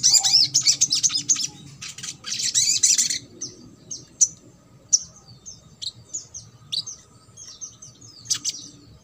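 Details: Ruby-cheeked sunbird, trotol song for prompting silent birds: an opening burst of rich, high, jumbled twittering, then spaced thin descending chips and short squeaks.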